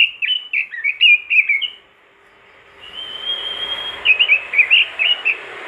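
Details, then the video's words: Robin singing vigorously, used to prompt other robins to sing: rapid clusters of high chirpy whistled notes, a pause, then a long thin steady whistle leading into more fast chirps. "masteran burung robin gacor dor,bikin robin lain ikutan gacor"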